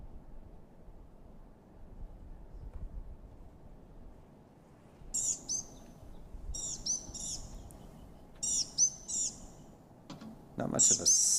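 Blue-gray Gnatcatcher giving thin, high, wheezy mews in quick bursts of two or three, after a few seconds of low background rumble.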